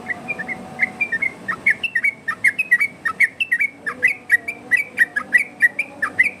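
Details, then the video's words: Varied yellow-vented bulbul song meant to train and lure other birds: fast bubbling whistled phrases that grow busier and louder after the first second, with dipping notes and quick chattering runs. "Burung trucukan Ropel variasi!!! Dijamin nyaut trucukan dirumah!!!"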